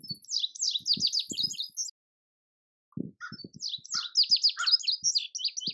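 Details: Two bright, high-pitched Indigo bunting song phrases separated by a short silence, each a fast series of slurred, sweet notes, with soft low knocking thumps underneath.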